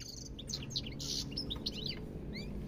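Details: European goldfinch singing: rapid twittering run of short bright chirps and liquid trills, several notes sweeping up and down, dense and continuous for nearly three seconds over a low background hum.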